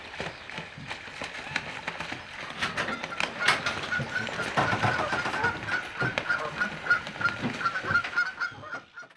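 Canada geese honk loudly and harshly during a fight, with a rapid, irregular run of calls from several birds over a steady background hiss.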